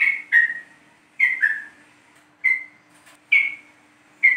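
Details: Lure recording of the yellow-vented bulbul from East Java, used to make the bird sing: clear descending whistles, some paired with a lower second note, repeated roughly every second.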